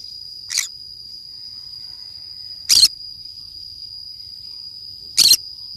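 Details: Green-cheeked conure playing alone in a forest, giving three short harsh, raspy screeches spaced about two and a half seconds apart over a steady high-pitched insect-like whine.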